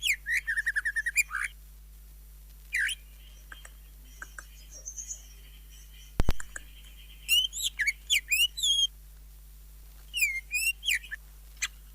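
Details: Greater green leafbird song, full of fill phrases (isian) and jamtrok: bursts of varied whistled, looping notes with pauses between phrases, a sharp click midway and a steady low hum throughout.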